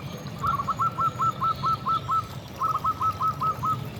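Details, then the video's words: Singing local zebra dove, meant to provoke and attract other zebra doves: two quick bursts of crisp, clipped cooing notes, evenly spaced, over a low steady background hum. "Suara Perkutut Gacor"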